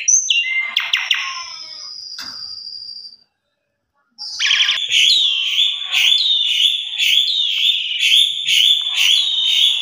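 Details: Asian pied starling lure song used at home to spur singing: scratchy notes and a long thin whistle, a second of silence, then steady buzzy phrases repeated in quick rhythm.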